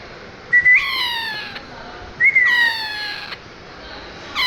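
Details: A parrot whistles a short rising note, then a long, clear tone that falls away. The pattern repeats twice, with the start of a third call at the end.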